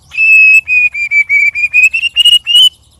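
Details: Sparring white-rumped shama, one of three birds, pours out a loud, piercing string of clear whistled notes, each rising slightly in pitch, about four per second.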